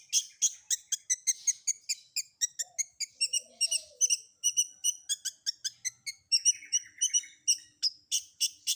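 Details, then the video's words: Long-tailed shrike combination fill-in (isian) song, a dense, rapid stream of high sharp chips and buzzy notes repeated several times per second, with a faint low whistled note in the background. "Suara Isian Kombinasi Cendet"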